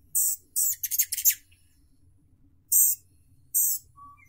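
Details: Rufous hummingbird (Selasphorus rufus): two high squeaky chips, then a rapid stuttering series of scratchy buzzy notes, then two more isolated shrill chips after a pause.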